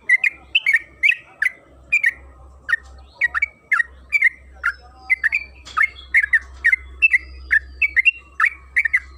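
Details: Yellow-vented bulbul (trucukan kebo) singing rapidly and continuously as a lure to set other bulbuls singing; quick chattering notes rise and fall in an even stream, with a faint thin whistle in the middle and a low hum beneath.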